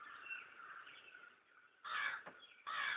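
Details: Crows, hundreds gathered in a yard: after a murmur of distant cawing, two loud, harsh, broad caws burst out close by, about a second apart, each lasting roughly half a second, over the continuing background chorus of the flock.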